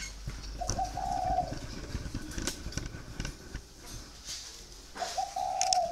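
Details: Spotted dove kept in a cage for four years, indoors: two drawn-out, hollow coos about four seconds apart, each a steady mid-low tone, over faint room noise and scattered clicks.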